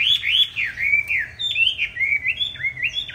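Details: Hwamei with green-tinged eyes giving a fighting song, used to train other hwamei to sing a smooth, unharsh song; rich whistled notes slurring up and down in a continuous, rapid phrase of looping, rising and falling figures.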